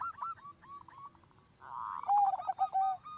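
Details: Zebra doves singing vigorously, one prompting others to join: a stuttering run of short coos, then a blurred burst and a lower, smoother sustained coo with quick notes layered over it.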